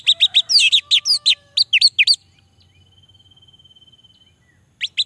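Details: Orange-headed thrush song used as a lure to prompt lazy males to sing: a fast burst of loud, sharp whistled notes for about two seconds, a long steady thin tone, then two more notes.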